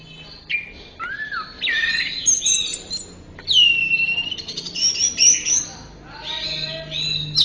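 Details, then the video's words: Orange-headed thrush singing for a tutor recording meant to train caged songbirds: a rich, varied run of loud whistled and chattering phrases, some rising and slurred, others buzzy and trilled, broken by short pauses. "Masteran Suara Burung Anis Merah 12"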